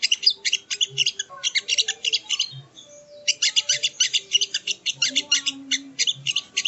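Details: Sogo ontong, or sogon, training song: clusters of fast, high, scratchy twitters, a short pause, then a longer run of quick chattering notes.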